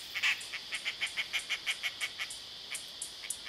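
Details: Dollarbird in Sydney, Australia, giving a rapid series of harsh, rasping notes, about three per second, that slow and fade toward the end, over a steady high insect hum.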